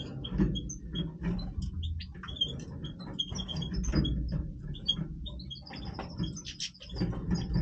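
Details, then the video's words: European goldfinch of the Major form giving breeding song: jumbled high twitters and tinkling notes, then a fast rattling trill rising slightly, with dull low background noise throughout. "Stieglitz Major Breeding Voice - singing Goldfinch"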